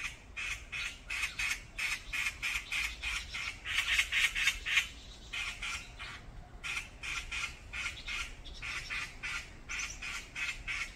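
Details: Brown-eared bulbuls fighting together on a mountain: long series of harsh, rasping squawks repeated rapidly, loudest around the middle, broken by a brief pause before more grating calls follow.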